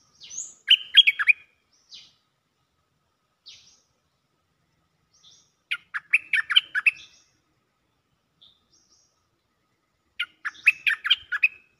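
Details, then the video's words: Cream-vented bulbul calling for a mate in repeated phrases: three bursts of fast bubbly chattering notes roughly every four to five seconds, separated by single high thin notes. "เสียงนกดอกแตงEp.155 สับไม่หยุด!! เสียงเรียกคู่ เพลงดี ร้องวน Suara pikat merbah lekir gacor"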